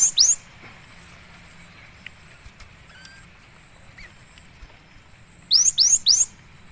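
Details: Cinereous tit (gelatik batu), recorded singing vigorously as training and lure audio: a cut-off note at the start, a long quiet gap, then three quick rising whistled notes.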